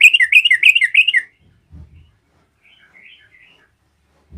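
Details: Yellow-vented bulbul in full song, used to rouse other bulbuls. A bright one-second burst of about nine chattering notes, followed by low thuds and faint, soft warbled phrases.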